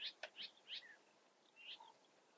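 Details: Eifel European bee-eater giving a few short, rolling notes in a quick cluster, then a pause and one more softer trilled note, fainter than nearby birds, with quiet surroundings.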